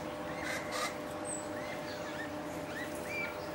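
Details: Greater necklaced laughingthrush at a bird-watching site in forest bordering Kaeng Krachan National Park, Phetchaburi, Thailand, 23 September 2012; faint rising-then-falling whistled notes, a few scattered over three seconds, against a steady background hum.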